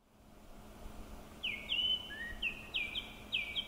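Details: Japanese thrush singing at Kubokawa Ihatov in Japan in May 2019: clear whistled notes, each starting with a sharp rise and then held level, given in a loose series of about six, with a steady low hum behind.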